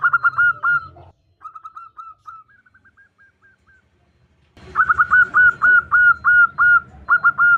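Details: A female local zebra dove calls to the male: a short burst of hooked coos, a trail of soft, evenly spaced notes, then a long, loud run of rapid, bent whistles over a rumbling purr.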